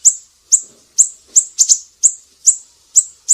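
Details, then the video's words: Siri-siri in full voice, a training recording for cage songbirds like murai batu and kacer; piercing high chirps repeated steadily about twice a second, with one quick doubled note. "Masteran burung siri-siri GACOR"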